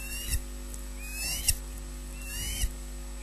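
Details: Ospreys at a Scottish nest at 06:19, as the male brings the first fish of the day and the female claims it: thin rising whistled chirps repeated about once a second over a steady electrical hum.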